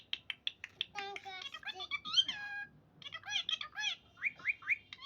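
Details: Talking parrot producing harsh, harmonic squawks and chattering, word-like syllables: a quick run of short clipped notes, then grouped bursts of bending, rising-falling tones with brief pauses between phrases.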